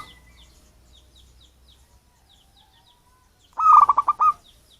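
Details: Wild local zebra dove, not bred or crossbred, sounding to lure other birds: one fast rolling phrase of about six stuttering coo notes near the end, preceded by faint high chirps from small birds.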